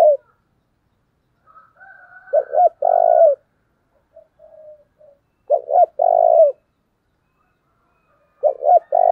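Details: Spotted dove used as a decoy to stir up wild doves. It gives low cooing phrases of two quick notes and a drawn-out burry coo, three phrases about three seconds apart, with soft distant whistling behind.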